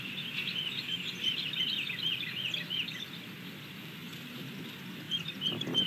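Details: Female osprey on her Montana nest camera, 27 May 2022 late morning, alerting while holding her fish and claiming the nest. A rapid string of thin, high piping notes runs for about three seconds, fading into steady rushing background noise.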